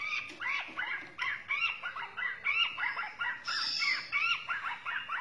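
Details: White-rumped shama from Borneo singing a varied run of looping, slurred whistled phrases with quick changes in pitch and a brief high buzzy burst midway.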